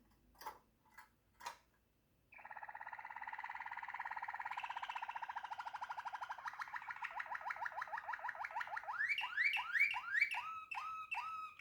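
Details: Waterslager canary beginning with a few isolated chips, then a long, even, gurgling rolling trill that gradually slows into separate, rising, ringing notes toward the end.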